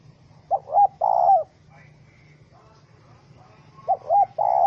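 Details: Spotted dove (Spilopelia chinensis) caught in a rope trap and described as angry, 04/07/2017: a three-part coo phrase, short, rising then long, given twice about three seconds apart with quiet between.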